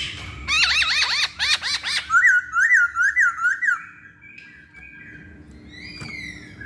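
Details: Masked laughingthrush song used as a lure so other birds will sing: rapid looping whistles followed by a series of clear, evenly spaced two-part whistled notes, then quieter long whistles.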